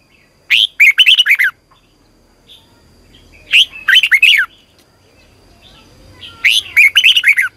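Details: Red-whiskered bulbul in morning song training, singing three evenly spaced phrases about three seconds apart, each a quick string of six or seven bubbly, down-slurred whistles.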